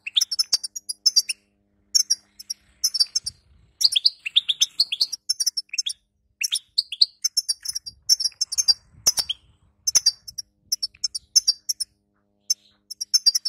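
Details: Long twittering passage from a female European goldfinch, used to train a weak male after moult: continuous high tinkling with rising slurred chirps, scattered clicks and a brief soft thump.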